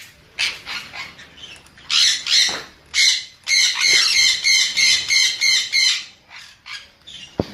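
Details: Sun conure calling in a fast run of harsh, grating squawks, about three per second for several seconds, after a few scattered single notes.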